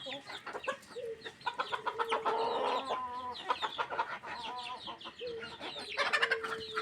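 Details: Chickens at feeding time: busy overlapping clucks and chattering calls from several birds, with longer level drawn-out tones breaking through between the rapid clucking.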